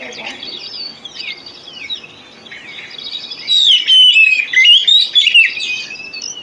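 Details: Oriental magpie-robin song played to stimulate magpie-robins that sing poorly: faint scattered whistles for several seconds, then a loud burst of quick, swooping whistled phrases.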